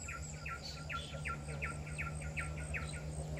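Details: Pin-striped tit-babbler, unseen and moving about, at Genting Highlands, Malaysia, gives a fast run of about ten loud, clipped notes, roughly three per second, over a steady low hum.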